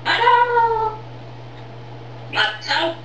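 A grey parrot speaks in a human-like voice: one drawn-out, falling word, then two short clipped syllables after a pause. A steady low electrical hum runs underneath.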